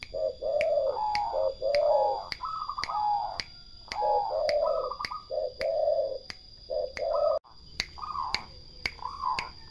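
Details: Several turtle doves coo together in overlapping, steady tonal notes at two pitch levels, with higher stepped notes mixed in and sharp ticking clicks sounding roughly once a second throughout.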